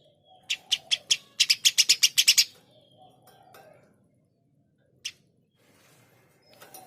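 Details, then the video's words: Eurasian tree sparrow in gacor style: a quick run of about ten sharp, bright chirps in under two seconds, then a pause and one lone chirp near the end, over a quiet background. "Burung gereja gacor"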